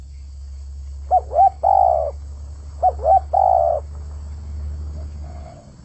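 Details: Spotted dove singing vigorously: two short quavering low coos followed by a long, steady, hollow coo, the phrase given twice about two seconds apart, then a faint trailing note. A low steady hum runs underneath.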